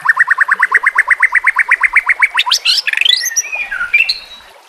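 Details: Murai batu, the white-rumped shama, singing on a training track set with nature and trickling water: a long rapid series of even, repeated notes that breaks into sweeping, rising and falling whistles.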